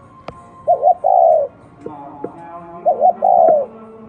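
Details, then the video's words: Cooing of a spotted dove, an unusual cooing style: two phrases, each a brief wobbling double note and a drawn-out low coo, with light taps and quiet background music. "Top 10 tiếng chim cu gáy gù độc lạ mới hay nhất 2020"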